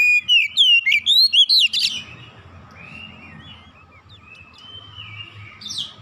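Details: Oriental magpie-robin singing a fast burst of loud, varied whistles and chatters for about two seconds, then quieter thin whistles over a constant low background hum.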